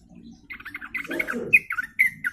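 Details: Sooty-headed bulbul group chatter used as a lure: quick bubbly notes, then a lower burbling sound, ending in clear sharp repeated notes.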